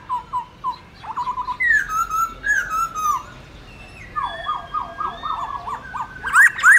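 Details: Black-throated laughingthrush wild-type song played to train young cage birds: varied whistled phrases, repeated short notes near the same pitch, slurred rising and falling whistles, and a few sharp high upsweeps at the end.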